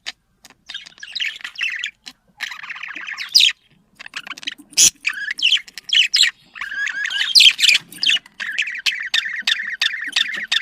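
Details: Domestic budgerigar mating chatter played to stimulate breeding: long stretches of buzzy, scratchy warbling broken by short silences, with occasional sharp clicks and a continuous twittering flow toward the end.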